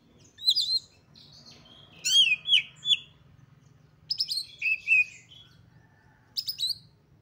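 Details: Highly excited Oriental magpie-robin singing to provoke others of its kind. Rich, clear whistled phrases, some rising and falling slurs, delivered in four groups with short gaps. A faint low hum sits underneath.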